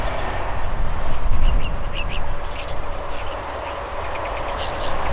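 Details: Zitting cisticola in flight giving its sharp, high 'hi-hi-hi' notes, repeated rapidly and evenly about four times a second, with a few lower rasps early on, against heavy low rumbling wind noise.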